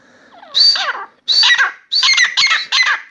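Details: Grey francolin (Dakhni teetar), a new bird singing nonstop in a room: loud, raspy, ringing phrases delivered in a rapid series, the last three run close together, each a burst of grating notes.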